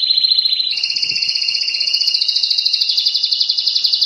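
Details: Blue and white Timbrado canary in full song: a continuous rolling trill of rapid pulses, stepping up in pitch after the first second and holding there, metallic and steady throughout.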